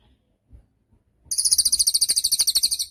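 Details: Cililin training song for songbirds: following a few faint taps, a shrill rapid trill begins, with fast buzzy pulses repeated evenly for about one and a half seconds.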